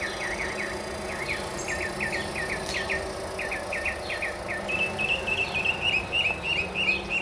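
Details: Northern mockingbird atop a tall mesquite in central Arizona, a string of quick repeated chirped notes leading into a fast rolling trill, with insects buzzing steadily and a low engine-like rumble.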